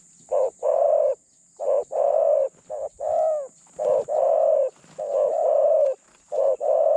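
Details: Captive spotted dove kept as a decoy to attract other doves, medium voice and light phrasing; a busy run of paired coos, a brief note followed by a long level one, with one shorter wavering phrase in the middle.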